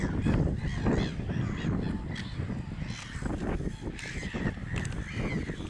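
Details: Little gulls at Groene Jonker, the Netherlands, on 15 April 2025, give short, nasal, slightly downslurred calls in loose bursts every half second or so, over heavy low wind rumble.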